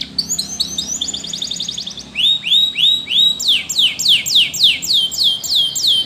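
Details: Spanish Timbrado canary singing as a training song for other canaries: a fast metallic rattle of short notes, then a steady series of descending whistled sweeps repeated about three times per second.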